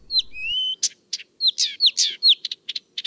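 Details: A Blyth's Reed Warbler singing in late evening or at night, its varied song sometimes mistaken for a nightingale's: clear whistles, one long rising note, then scratchy notes and a fast run of sharp ticks.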